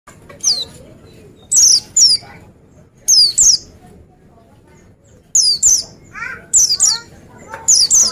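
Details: Oriental white-eye, a singing bird: sharp, high, steeply falling whistled notes in short bursts of two or three, separated by pauses, with a lower slurred phrase near the end over faint background hiss.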